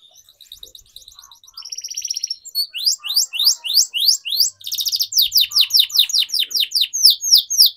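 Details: Canary song for teaching young birds, soft trills building into long runs of loud falling whistled notes repeated several times per second.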